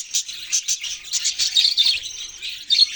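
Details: Pet budgies in a steady stream of thin, high chirps and scratchy warbles, several notes overlapping in quick succession.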